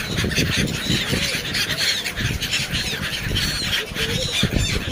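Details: Black-headed gull recorded in Sharjah: harsh, squealing calls with rising and falling strokes overlap among several birds, set against a steady broadband rush of wind or water noise throughout.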